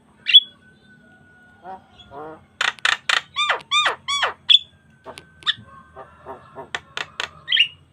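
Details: Javan myna singing vigorously while puffing up, used as a lure and tutor recording for other starlings; a varied run of sharp whistles, rapid buzzy chattering bursts and descending hooked notes, with short pauses, clean with no other sounds.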